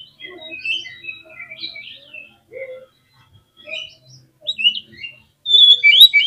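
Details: Agitated oriental magpie-robin song meant to rouse other birds: quiet varied whistled phrases with pauses, then a loud cluster of sharp, sweeping high whistles near the end.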